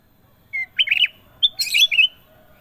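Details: One bubbly sooty-headed bulbul phrase: a clean opening note, then tumbling throaty warbles and a bright chattering finish, lasting about a second and a half. Faint low background hum.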